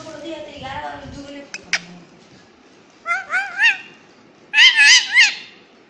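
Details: A talking parrot: a voice-like babble with low harmonics, then two bursts of loud wavering, rising-and-falling harmonic squawks in quick triplets.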